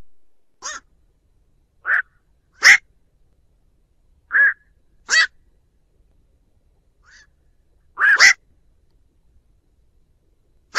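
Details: Lure recording of a black-crowned night heron calling the flock: about eight brief croaks over eleven seconds, alternating harsh rasping notes with mellower nasal ones, spaced unevenly and heard without other sounds.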